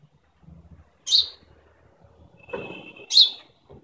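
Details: An Indian house sparrow chirping in the morning gives two bright, short chirps about two seconds apart, with a thin whistled tone and low background rumble between them.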